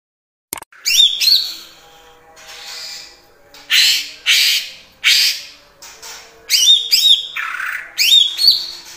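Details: Greater green leafbird delivering its imitation-rich song of kapas tembak and cililin calls: loud harsh raspy bursts alternating with short rising whistled notes.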